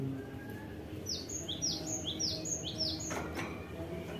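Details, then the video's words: Kaso-kaso singing loudly in a rural setting: a rapid series of high, sweeping whistled notes, each rising then dropping, repeated about twice a second over a low background hum, with one brief broadband knock. "BURUNG KASO KASO GACOR NEMBAK"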